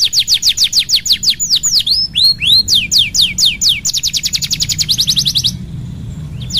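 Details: Singing canary, played to encourage a canary that is slow to sing: fast falling-note trill, a few looping swoops, more downslurs, then a very rapid dense high trill before a brief pause; faint low rumble.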